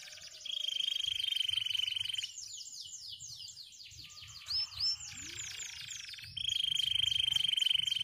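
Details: White canaries singing while perched and hopping on dry stalks; long steady whistled tones open and close the phrase, with quick descending trilled notes rippling between them and a few brief upslurred notes in the middle.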